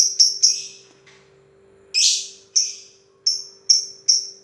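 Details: Lovebird giving a long run of chatter: sharp high chirps and short buzzy bursts, several clustered at the start, a louder harsh burst near two seconds, then evenly spaced bright chips; a steady low hum runs underneath.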